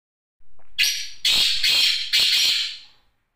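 A black francolin gives a loud, harsh, grating call: a short opening rasp followed by three strident, buzzy notes over about two and a half seconds.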